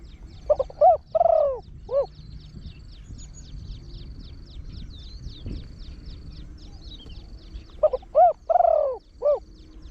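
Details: Spotted Dove decoy bird with a big voice, singing the quick 'khan thi' cooing style. Two phrases of clipped notes and swelling hollow coos at the start and end, separated by quiet with faint background hum.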